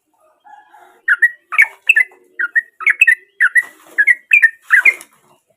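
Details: A sooty-headed bulbul sings naturally, used as a lure for a silent bird: soft low notes, then a steady series of paired bubbly whistled chirps, roughly two per second.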